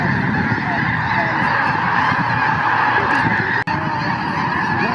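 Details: A massive flock of about 8,000 Snow and Ross's Geese, seen on the first day of a birding year in early January 2024, makes a dense, unbroken roar of overlapping high, nasal yelps and honks merging into one wall of sound. Finding: Snow Goose and Ross's Goose.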